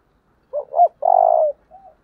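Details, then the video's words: Spotted dove in the 'giọng thổ' voice style, intense 'thúc' calling: a quick two-part low coo followed by a long, loud, rough coo and a soft closing note, in a quiet background. "Cu gáy giọng thổ/ thúc căng lửa"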